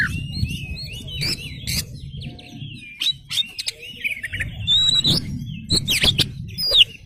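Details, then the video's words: Oriental magpie-robin (kacer), a lively singing bird, with varied whistled and twittering phrases, interrupted by several sharp clicks and knocks, over low rumbling background noise. "PANCINGAN KACER GACOR Buka Ekor"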